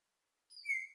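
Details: An Australasian figbird perched nearby gives a single clear, high whistled note that holds steady and drifts slightly lower, part of a call lasting a few minutes; no other sounds are heard.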